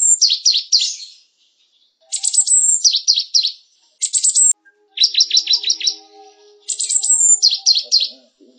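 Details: Java sparrow singing, used as a tutor recording for canaries: high, clipped chirps run into quick stuttering trills, phrases repeating about every one to two seconds with short pauses and a faint low hum underneath.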